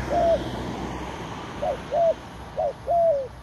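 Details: Dove at a forest trapping site: one drawn-out coo, a pause, then four more short, arched, mellow coos in a loose series over low background rumble.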